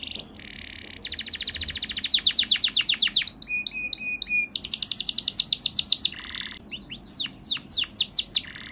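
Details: Yellow canary song opening with a buzzy trill, moving into fast rolling trills of repeated syllables, a few sharp whistled notes, then a buzzy burst and a run of down-slurred notes.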